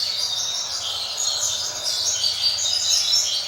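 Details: Caged young double-collared seedeater in brown juvenile plumage, being trained to the Roda de Fibra song style. A steady, high, rapid warble of slurred whistles and twitters flows continuously, with faint low background hum.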